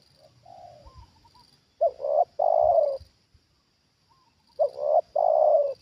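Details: Soft preliminary coos, then two loud phrases from a trained decoy Spotted dove reacting to a wild bird lured down a second time; each phrase is a clipped double note followed by a long rough coo.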